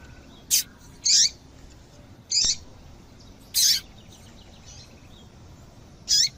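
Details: Female double-collared seedeater calls, played to get a male singing: short, high, downslurred chirps, about one every second or so, with a long gap before a final note.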